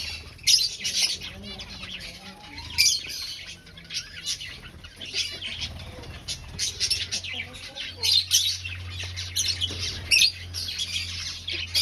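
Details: Colony of aviary finches breeding and finding a nest; lively, nonstop high chirping with repeated loud squeaky bursts across the whole stretch, over a low humming background.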